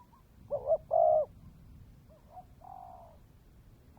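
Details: Spotted dove kept as a decoy bird, cooing in the dense "mồi đất kèm dày" style: mellow, low, hollow coos, with a short double note followed by a longer held coo, repeated after a pause.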